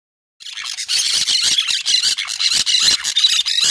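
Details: Green parakeets calling at full volume: after a brief silence, a dense, continuous run of harsh, raspy screeches and squawks pours out, overlapping rapidly about two to three times per second with no pauses.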